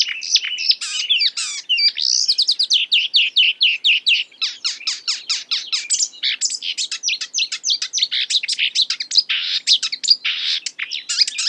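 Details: Marsh warbler (Acrocephalus palustris) singing a long, unbroken run of imitations of other birds: fast, varied chirps, sharp downward sweeps and rattling bursts follow each other with almost no pause, in a quiet setting.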